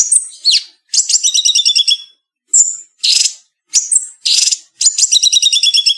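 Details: Cleanly edited bulbul song for songbird keepers: quick bursts of bright whistles and scratchy notes alternating with rapid rattling trills, each phrase under a second and separated by brief silences, without any background sound.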